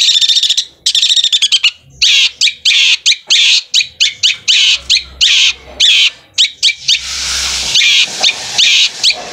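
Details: Captive long-tailed shrike in song likened to a sewing machine, delivering dense harsh buzzy bursts and rapid chattering notes in quick runs, with loud scratchy broadband stretches late in the sequence.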